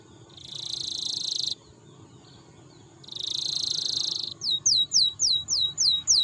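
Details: A canary's song, used as a lure to stimulate other canaries to sing, has two long dense buzzy trills, each over a second, then a fast run of about seven bright descending whistled notes.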